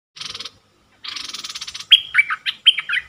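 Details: Bulbul luring call recorded 24 September 2021: two bursts of fast buzzy chattering, then a string of clear whistled notes that drop and bend, each about a third of a second apart.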